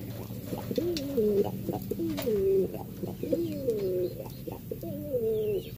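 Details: Territorial Cuban Pouter cock pigeons contesting a nest: clear low coos, each a drawn, slightly sliding note that drops at its end, repeated about every second, with light tapping and rustling behind.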